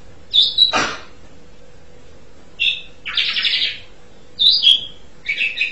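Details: Asian pied starling (jalak suren) singing a varied sequence: a clear whistle, a harsh noisy downward rasp, buzzy broadband bursts, then more sharp whistled notes and a grating phrase, separated by short pauses; a low steady hum underneath.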